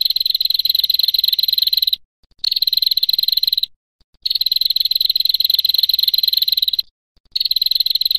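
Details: Long trilling calls from a female prinia: rapid, evenly pulsed buzzy trills lasting about two to two and a half seconds each, broken by brief pauses, in a clean recording with no background.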